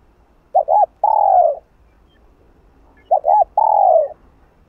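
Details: Spotted dove (cu đất) calling to stir up another dove, 'hạp bổi' style: each phrase a pair of quick hollow notes followed by a sustained descending coo, heard twice.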